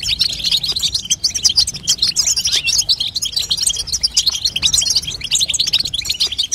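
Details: Female European goldfinch babtaba call, played to stimulate a young goldfinch to sing: dense, rapid twittering and buzzy chirps that run without pause, high and bright throughout.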